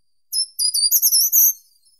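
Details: Short-toed treecreeper singing one short, high phrase of quick thin notes, rising slightly and running together into a longer sweet note at the end, about a second and a quarter long, against complete silence.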